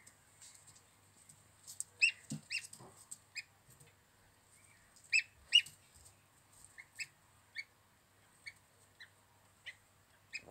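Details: Healthy young gosling peeping repeatedly: strong high notes in pairs and small groups, then evenly spaced single peeps about every half second, with light scratching sounds beneath.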